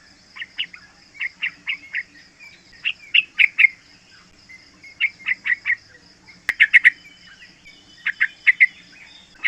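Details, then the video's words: Three-month-old yellow-vented bulbul, used for luring and tutoring other bulbuls. Short clusters of three to four liquid chirps repeat every second or two, with a brief click midway through. "Panggilan trucukan muda AMPUH buat Pancingan trucukan agar bunyi ropel"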